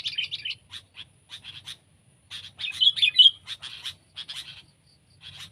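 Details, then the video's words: Scattered short chirps and brief bubbly phrases from sooty-headed bulbul, irregularly spaced with small silences, loudest in a warbled burst near the middle. "Burung Kutilang Peliharaan VS Burung Kutilang Liar!"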